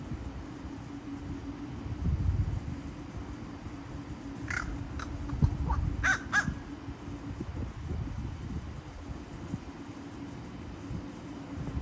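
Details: Crow giving a short run of clicking notes in the middle of the recording, harsh and stacked, with a steady low hum and rumbling background noise throughout.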